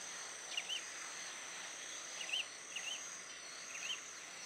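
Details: A female lined seedeater in Itatiba, São Paulo, Brazil, on 9 December 2016 at 11:20 gives short, sweet, slurred upward-inflected call notes, about four in four seconds, over a steady high insect hiss.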